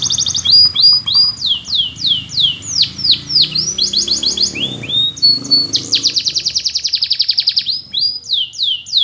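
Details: Training song of a Russian canary in flute style: a chain of bright falling whistled notes, rising slurs and a long fast buzzy roll near the end, with a faint low hum beneath.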